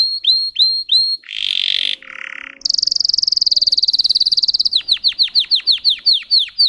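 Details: Russian singing canary: a few high whistled notes, two harsh buzzy rattles, a fast even buzzing trill, then a series of sharp falling notes repeated rapidly.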